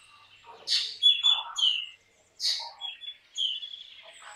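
Black drongo giving a varied run of harsh, buzzy notes mixed with clear, high whistles, in two bursts with a short pause between them.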